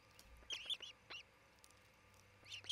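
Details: Osprey at a Montana nest cam in Charlo, June 2018, pair nesting near a Great Horned Owl family: clusters of high, piercing chirps at start and end, one lone chirp between, low hum beneath.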